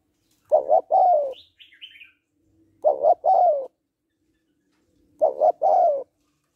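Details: Spotted dove hen coaxing a male with repeated coos, two short notes then a long descending one, three phrases in all; a thin high chirping from another bird follows the first.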